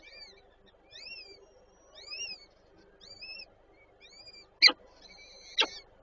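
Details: Peregrine falcon at a nest in Warszawa Żerań, Poland, on 8 May 2023, where a female feeds her chicks: thin arched whistled notes roughly once a second, followed by two sharp loud clicks.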